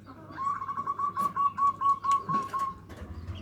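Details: Local zebra dove singing in the 'nutut' style, used as a lure to provoke rivals: a loud, fast string of about twelve clipped, mellow coos on one pitch, evenly spaced, with faint clicks and a low hum behind.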